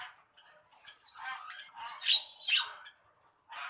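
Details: Javan myna singing a few scratchy, harsh notes broken by short gaps, building to two loud buzzy bursts near the middle and a final rasp at the end.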